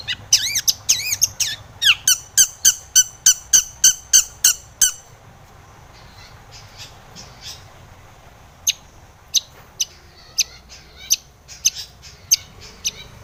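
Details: Long-tailed shrike recording meant to provoke other shrikes, a fast harsh chattering series of repeated scratchy notes for five seconds, then quiet with sparse sharp clicks.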